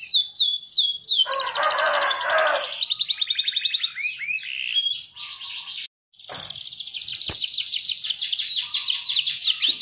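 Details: Canary song in an ornate style: quick rising notes, a burst of harsh buzzy rattle, rapid pulsed trills, a brief pause, then a long run of fast repeated chirps.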